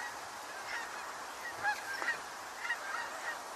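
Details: Canada geese calling near a wetland in late October, with a few short honks spaced through the clip over steady background hiss.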